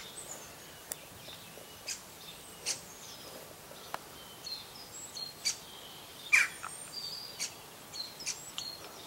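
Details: Morning birdsong outdoors: short, high, bright chirps and tweets scattered across the clip, roughly one every second, some in quick pairs, over a steady soft hiss of background noise.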